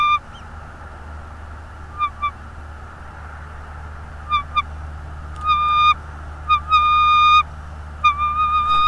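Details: Bald eagle at a nest in North East Florida, filmed by a nest camera on 24 January 2022 at 16:40: a series of clear, high tonal notes, short pairs early on, then longer steady whistles with ringing overtones, over a constant low hum.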